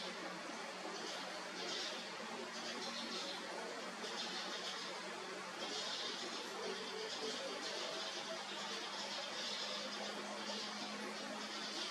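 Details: Steady broadband hiss with a few faint, indistinct murmurs in the background, and no animal voice stands out at any point.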